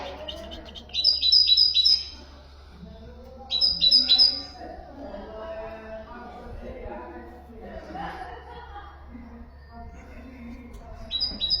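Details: Common nightingale song used to teach goldfinches and canaries: bursts of rapid, bright, repeated high notes, separated by pauses, over a steady low hum and murmuring mid-pitched background sound.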